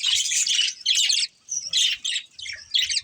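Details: Breeding pair of budgerigars trading short, bright bursts of buzzy chirping, about five separate phrases in three seconds with clear gaps between them.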